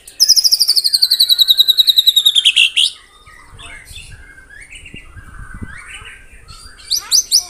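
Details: 'Tembakan rapat' song of a white-rumped shama (murai batu): a fast, even trill gliding gradually downward for nearly three seconds, followed by soft, quieter warbles and a final burst of sharp high notes.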